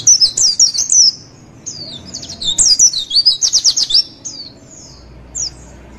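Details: High-pitched twittering song of a white-eye for tutoring and provoking caged birds: rapid chains of thin whistled notes, a dense trilled stretch in the middle, then scattered short chirps with a faint low hum.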